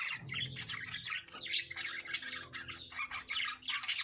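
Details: Breeding lovebirds keep up rapid, harsh squawks and shrill chirps that overlap almost without pause, a busy chattering chorus with a faint low hum in the background.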